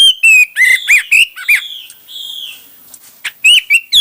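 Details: Hwamei singing in many varied styles: loud, clear whistled phrases with sliding and rising notes, rapid bursts and short trills, a quieter rambling passage midway, then strong whistles return.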